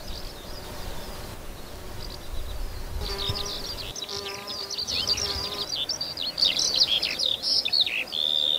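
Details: Eurasian skylark in open fields near Berga/Elster, Germany, pouring out a fast, unbroken stream of high warbled chirps and trills that grows louder toward the end, over a faint lower buzzing hum.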